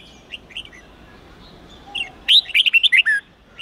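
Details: Red-whiskered bulbul giving the 8-9-10 note wild-standard song meant to teach young birds. A few faint notes lead into one loud phrase of about seven rapid, clear whistled notes near the end.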